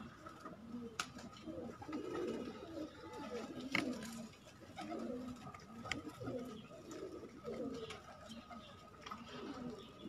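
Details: A flock of kept pigeons gives repeated throaty coos in pulses every second or two. Occasional sharp knocks and a faint hum sound in the background.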